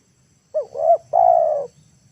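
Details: A single spotted dove lure phrase for drawing wild birds to the ground: two soft, rising-and-falling coos run together, then a sustained, even coo lasting about half a second. Faint low hum beneath.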